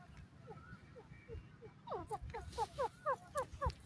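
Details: Grey francolin, known locally as dakhni teetar, calling in high spirits: a run of slurred rising notes that speeds up and grows louder into paired, ringing phrases, over a low rumbling background.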